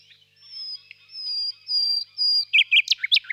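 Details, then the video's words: Long, pure, drawn-out whistles repeated four times grow louder, then the common nightingale bursts into a run of sharp, staccato notes. "пение соловья"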